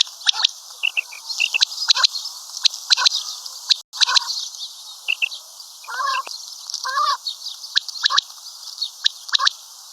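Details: Common quail calling, listed locally as batair and maadi batair; busy sequence of sharp ticking notes in loose groups with two rasping broad bursts mid-way, continuous hiss in the background.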